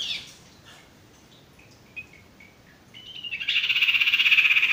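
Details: A male sirtu gives a buzzy note, then soft scattered whistles, then a loud fast trill of evenly pulsed high notes. The recording is intended as a masteran for training stressed or non-singing birds.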